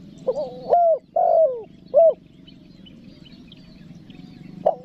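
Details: Calling spotted dove (tekukur), nekan nguku style for luring wild doves; a single cooing phrase of a quick note and three mellow, slightly descending coos, then quiet hum and one short clipped note at the end.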